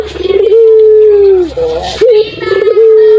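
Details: Puter dove, a local dove kept to lure quiet doves into answering: a sustained, even tonal coo gently falling at its end, then a brief rising note leading into another long drawn coo, with faint background hum.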